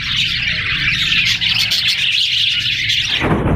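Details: Parrot chattering in a dense, continuous high twittering stream that holds steady for about three seconds before cutting off, with a low rumbling hum underneath.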